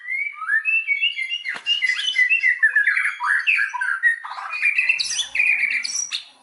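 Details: White-rumped shama singing to goad other shamas into full song: a continuous rambling medley of whistles, chirps, warbles and harsh scratchy notes, with one sharp click early on.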